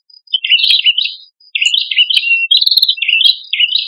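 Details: Prenjak kepala merah prinias, male and female, in full song used as bird bait: continuous squeaky, buzzy phrases of high notes with quick pulsed trills, broken by one short pause.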